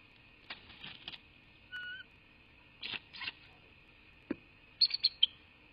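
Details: Bald eagle at its nest in southwest Florida, recorded on 2 January 2024 at 18:07, gives a quick series of thin, high chittering notes after scattered clicks, rustles and a few short whistles.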